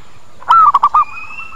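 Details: Single phrase of a zebra dove lure call for attracting birds: one bent coo then three short rapid coo notes, with a quiet high whistle trailing afterward.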